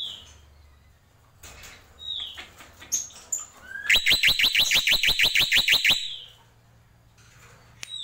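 Black-winged myna giving scattered high whistles, then a loud two-second burst of about a dozen harsh, rapid rattling notes, about six per second.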